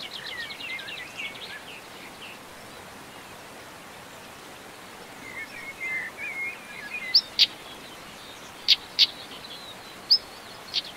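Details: Common stonechat recorded in the Montes de León, Spain, in May 2019: a few thin whistles, then hard clicking 'tsak' notes, singly or in pairs, like two pebbles knocked together, over steady background hiss.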